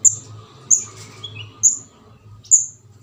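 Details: Juvenile orange-headed thrush, locally called kemade jawa or ndas abang, giving begging calls used as a lure for trapping birds: four sharp, very high, thin notes at uneven intervals of under a second, over a low steady hum and faint twittering.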